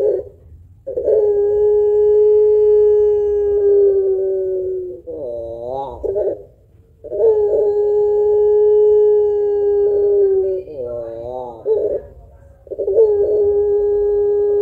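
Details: Long-voiced puter pelung barbary dove, thick kuwok, used to stimulate other birds, repeating its song three times: a long level low coo of several seconds followed by a short wobbling, quavering phrase.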